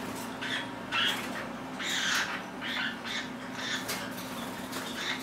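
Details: Indoor group of pet lineolated parakeets, one pushing in front of the camera among its companions; scattered short, squeaky chirps and squawks roughly every half second to second, set against a constant low electrical hum.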